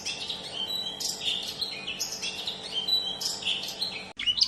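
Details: Long-tailed shrike in full song, used as a lure recording to prompt quiet or stressed shrikes to answer; dense continuous chatter of scratchy, high twittering phrases and short whistles with no pauses, plus a faint low hum.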